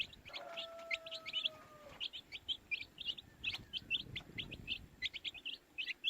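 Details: Baby chicks chirping: quick high peeps from several birds, with a long, level, lower whistle running through the first two seconds and a soft thud later.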